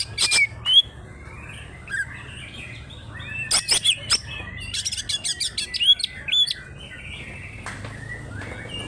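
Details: Greater green leafbird from Alas Purwo, Banyuwangi, a local bird in hard, nonstop fighting song. Loud clicks and short whistles open, then a dense run of rapid high chips and slurred whistled notes, trailing off into quieter twittering.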